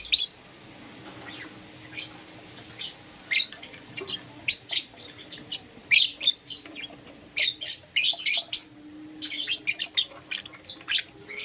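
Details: Lovebirds, Euwing green opaline and lutino, in the morning: shrill, short high chirps given in irregular bursts of two to four, with brief pauses between bursts and a faint low hum underneath.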